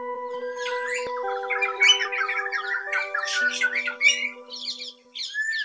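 Greater racket-tailed drongo song: a fast, varied jumble of harsh squawks, metallic chirps and short whistles over a steady low droning hum.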